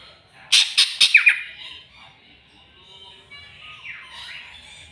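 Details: Greater green leafbird, provoked by a rival, giving a short loud burst of harsh rasping notes followed by a downslurred whistle, then quieter faint twittering.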